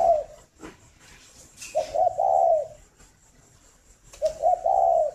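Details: {'caption': 'Morning cooing of a farm-bred spotted dove in Ba Vì district, Hanoi, Vietnam. Two low, hooting phrases, each made of quick stuttered notes and a long, smooth ending, are separated by faint taps and clicks.'}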